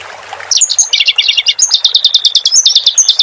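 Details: Clamorous reed warbler singing, for use in training cage birds. After a short quiet start, a rapid, rolling run of high chirps follows, with sliding whistled notes breaking in.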